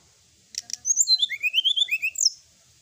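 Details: A sooty-headed bulbul in full song, recorded at night, gives two sharp clicks, then a fast run of about a dozen high, bright, sweeping whistled notes over a second and a half.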